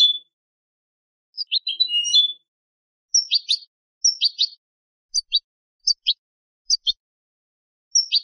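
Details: Goldfinch hybrid singing a tutoring song meant for young birds: clusters of sharp high twittering notes, then single clipped chirps repeated at roughly half-second gaps, with no other sound.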